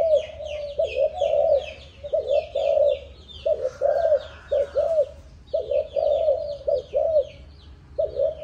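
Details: A seven-month-old spotted dove of Malaysian breeding, offspring of a stuttering decoy bird, repeats short, low coo phrases in a stop-start rhythm, with many small birds chirping throughout.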